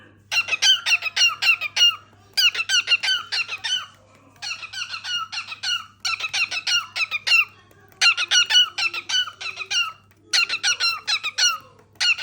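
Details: Cockatiel (Nymphicus hollandicus), song.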